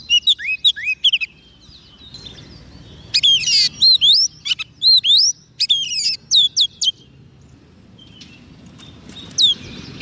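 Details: Singing Oriental magpie-robin fed soft food, calling wild birds: early fast whistled notes, a quiet spell, then a loud burst of sweeping, looping whistles around the middle, fading to near silence with one late phrase, low background rumble.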